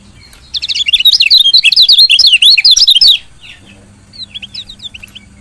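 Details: Female lemon-bellied white-eye (kecial kuning betina) giving a chirping bout meant to prompt lazy males to sing: a dense two-and-a-half-second run of quick, high, wavering chirps, then a short sparser burst, over faint low hum.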